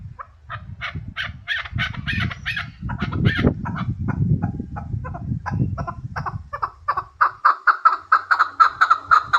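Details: Hybrid chukar partridge: low rumbling and handling noise cover the first half while scattered clucks sound. The bird then breaks into a clear, accelerating run of chuckling notes.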